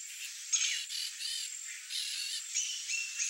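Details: Pale-crested Woodpecker (Celeus lugubris) call: a run of high, nasal, slightly falling notes, spaced roughly every half second, over a steady background hiss; a species of Mato Grosso and Mato Grosso do Sul, Bolivia, Paraguay and Argentina.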